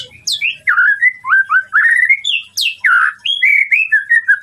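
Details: White-rumped shama singing to stir up a rival, mixing high falling whistles with slurred, buzzy mid-pitched phrases and a second burst of sharp descending notes, steady and loud.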